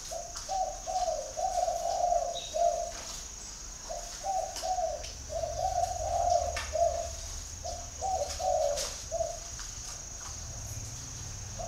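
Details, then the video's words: Spotted dove in Ba Vì, Hanoi, Vietnam, cooing steadily for nearly twelve seconds in several groups of mellow notes with short breaks, backed by a faint constant high whine. "chim cu gáy gọi"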